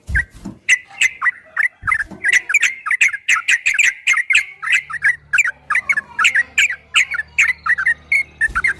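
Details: Long 'ropel' song of a yellow-vented bulbul, for training caged bulbuls: steady rapid bursts of liquid chirps running for almost nine seconds, with low thumps at the start and near two seconds and a faint hum later.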